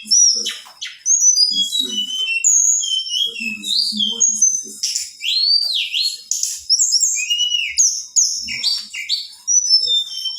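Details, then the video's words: Female Black-winged flycatcher-shrike singing to arouse males: varied high whistles, looping U-shaped slurs and quick chirps tumble out in dense phrases with short gaps. "SUARA TLEDEKAN BETINA GACOR. BIKIN M3R4N6S4N6 BURUNG JANTAN..!!"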